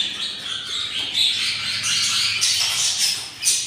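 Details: Budgerigar chicks, six hatched and hungry in a pair's nest on day 24, keep up a continuous buzzy, scratchy chorus with small surges and a final louder squawk.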